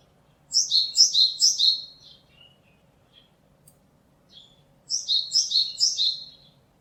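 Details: Japanese tit singing on 27 March 2022: two phrases several seconds apart, each of four rapid repeated two-note units falling from a piercing high note to a lower one, with a few soft scattered notes between.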